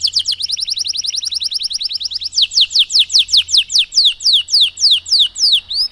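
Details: Canary singing a long 'cengkok mewah' style song, used to train canaries to sing: a fast, even high trill of repeated notes, then slower, louder downslurred notes about five per second, with a faint low hum.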